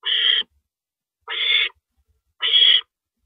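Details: Nighttime owl, 1:27 AM on April 9, 2012, as one bird downs a rabbit; three evenly loud, hoarse hissing screeches, each under half a second, spaced over a second apart.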